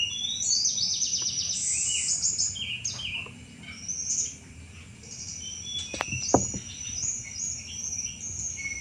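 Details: Sunda robin in lively chattering song, said to be fit for luring thrushes: dense runs of rapid high twittering notes, then sparser slurred whistles over a constant shrill background tone and a few clicks.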